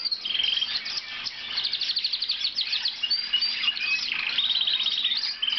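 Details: Singing blue Lizard canary giving fast rhythmic trills and clear whistled notes, switching between rolling phrases and sharp chirps.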